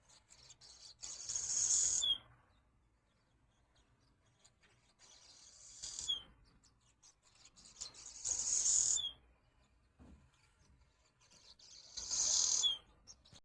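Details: Swallows chattering at a window: four bursts of shrill, raspy twitter, each with a downward flick at the end, repeated every three to four seconds.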